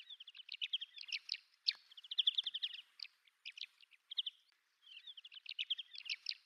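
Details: Migrating red-capped lark recorded on Yonaguni Island, Japan, giving lively, tumbling runs of high chirps and rattling trills in several phrases separated by brief pauses, with an occasional sharp note and no other clear sounds.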